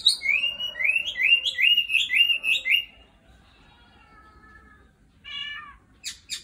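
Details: Singing nightingale delivers a fast series of repeated looping whistled notes for about three seconds, then a quieter descending trill, silence, and a short buzzy rattle followed by sharp high clicks.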